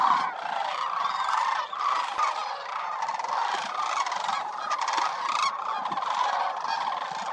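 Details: Sandhill cranes in a winter crowd of more than 20,000 at Willcox Playa Wildlife Area keep up a loud, rolling trumpeting chorus, with a brief dip in volume and a single click partway through.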